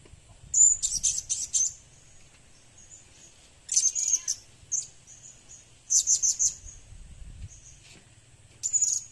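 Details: Blue-crowned hanging parrot kept as a lure bird, giving bursts of very high, sharp, shrill chirps in tight clusters of four to six notes, with pauses of about two seconds between bursts; low background hum.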